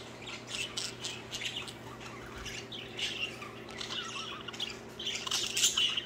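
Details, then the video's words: Pet budgerigars playing and singing while two pairs flirt; fast, continuous chattering of scratchy chirps and buzzy notes, several per second, rising to a louder, denser burst near the end over a low hum. "Budgies playing and singing."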